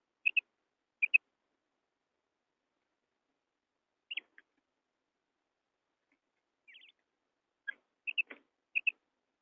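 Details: Female quail (batair) call used as a lure for hunting quail in wheat fields: short high chirping notes given mostly in close pairs, with gaps between groups and a few faint softer notes, in an otherwise quiet recording.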